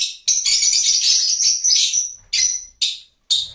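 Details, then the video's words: High-pitched lovebird twittering, first a two-second run of shrill, buzzy chatter, then three short squawking bursts with gaps between them. "Love Birds Nature Sound"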